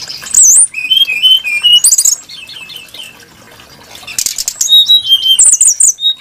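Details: Song of a brown-chested jungle flycatcher, a bird kept for its varied, melodious voice: loud tumbling warbles and whistled phrases, a quieter pause, then high rapid trilled notes and falling whistles.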